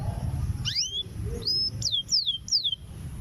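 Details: Breeding-ready female canary calling to attract a male: a rising sweep followed by a quick series of four short, high, down-slurred whistles, above low background hum.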